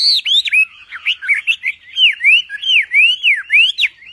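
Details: Javan pied starling song for training songbirds: strong whistles that swoop downward and then rise, repeated steadily about three times a second after a brief jumbled opening.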